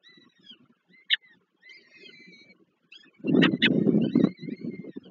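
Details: Peregrine falcon chicks at a nest in Żerań, Warsaw, Poland, on 7 May 2023, being fed by their mother, one of four still weak; thin high peeping calls, then a loud harsh burst of cries near the end.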